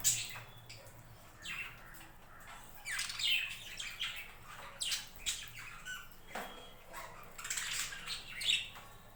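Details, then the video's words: Captive budgerigars in a home budgie farm keep up a busy scratchy chatter of squawks and chirps, varying loudness, steady low hum in the room. "My budgies farm"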